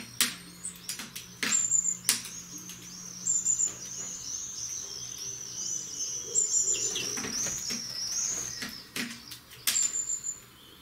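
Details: European greenfinch on a balcony: a long, high, wavering twittered trill runs for several seconds, with loud clicks and knocks breaking in.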